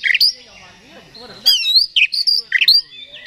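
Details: Oriental magpie-robin (kacer) lure song meant to provoke a bird: bright whistled slurs and harsh chirps after a short quiet pause, with faint murmuring underneath.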